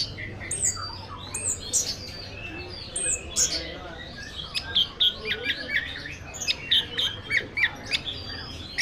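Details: Prize-winning Orange-headed thrush from Tasikmalaya, Indonesia, kept caged, pouring out rapid high chirps, squeaky whistles and twittering notes in uneven bursts about three to four per second, as a man urges it on.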